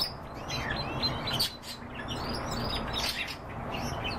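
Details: Kept canaries give quick high chirps and upward-sweeping whistles in loose, overlapping phrases, with a faint low hum underneath.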